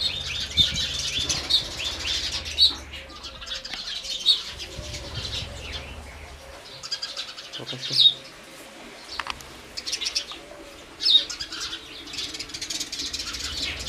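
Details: House sparrows chirping in separate loud bursts every few seconds, each a tight cluster of bright, clipped notes, with a low hum in the first half.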